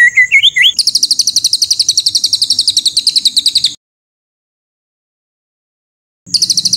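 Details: White-rumped shama tutor song with harsh 'tembakan kasar' shots: a short warbled phrase, then a fast, very high, buzzy trill of rapid repeated notes lasting about three seconds, silence, and the trill resuming.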